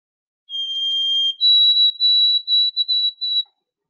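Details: White-throated sparrow, a ground-nesting bird heard by very early spring: a long, pure whistled note, then a slightly higher one breaking into a quick run of repeated whistled notes, like 'oh sweet canada canada canada'.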